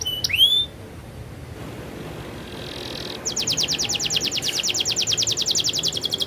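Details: Canary rolling song: one short upslurred whistle, a quiet pause with faint background hiss, then a steady rapid trill running to the end.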